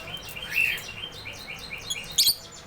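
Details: Canary song fragment of short chirped and slurred whistled notes, ending with a couple of sharp high-pitched bright notes.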